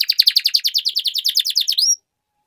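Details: A canary in full song, meant to coax quiet canaries back into singing, delivers a steady rapid series of high down-sweeping notes, about eight per second, ending on a rising whistle before silence.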